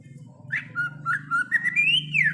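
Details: Wild greater green leafbird song: a short phrase of slurred whistled notes climbing step by step to a higher, drawn-out whistle that falls away at the end, over a steady low hum.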